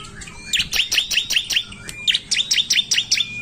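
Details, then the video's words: Bar-winged prinia (ciblek) in loud 'gacor narung' singing, a lure recording meant to make ciblek sing: quick bursts of sharp high chirps, about ten notes in two fast runs, with a thin steady whistle-like tone behind. "Ciblek gacor narung | pancingan ampuh ciblek suka ngetem"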